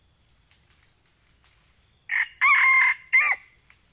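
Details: Red junglefowl crowing in a eucalyptus plantation in Sumatra, Indonesia, used as a lure for trapping wild junglefowl; a short harsh multi-part crow after faint clucks, over a steady insect hum.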